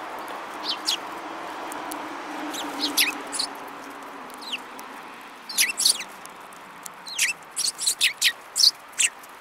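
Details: Sparrows, one yellow-beaked among the group, on 5 February 2018: brisk high chirps, sparse at first, then repeated rapidly in a lively run through the second half, above a steady low hum.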